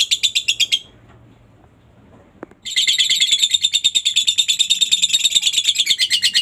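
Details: Short lovebird burst, then near silence with a single click, then a long, steady run of harsh high chattering notes; played to rouse quiet lovebirds into replying.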